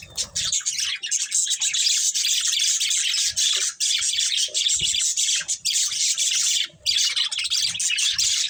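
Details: Budgerigars of a breeding pair pour out a continuous dense, raspy warble with very brief dips, loud and even from start to finish.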